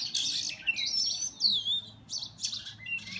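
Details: Fighting Oriental magpie-robins heard up close on a mobile recording: loud bursts of high squeaky chirps and bright swooping whistles, irregular and agitated, separated by brief quieter gaps.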